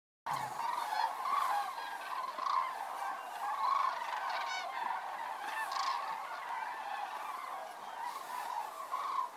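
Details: Common cranes flying in to roost on the evening of 3 October 2018 at Federow, Germany, by a bird observatory, landing in very shallow water after a long drought; a dense chorus of many overlapping trumpeting calls, continuous and rolling.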